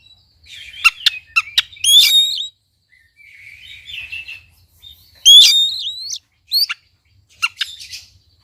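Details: Oriental magpie-robin (kacer) song meant to prompt a silent bird into singing: sharp clicks, rich warbled phrases and high rising whistles, with pauses between bursts.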